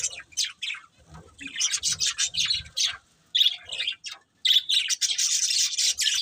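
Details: Pair of breeding budgerigars giving bursts of short high chirps and scratchy chatter, a brief silent gap midway, then a denser stretch of warbling.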